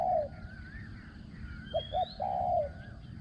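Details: Decoy spotted dove at a ground luring session, praised for a small ringing voice and fine cooing: one long hoot, a pause, then two clipped notes and a drawn-out final coo, thin bird whistles above.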